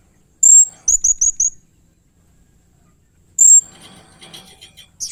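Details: Blue-crowned hanging parrot in 'main singa' mode with strange, fierce sounds: a piercing high squeal, four clipped shrill notes, silence, another squeal, then faint scratchy chatter.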